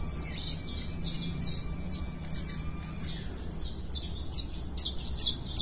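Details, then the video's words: Canary warm-up singing: a soft stream of high chirps and rapid twittering phrases that grows louder near the end into sharp, steeply falling notes, over steady low background hum. "FOGUEO DE CANARIO"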